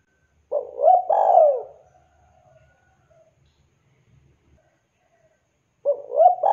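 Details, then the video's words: A vocal spotted dove calls out to others. A mellow three-part coo rises and then falls, followed by about four seconds of quiet before the next coo phrase begins at the end. "Suara burung tekukur Gacor memanggil teman"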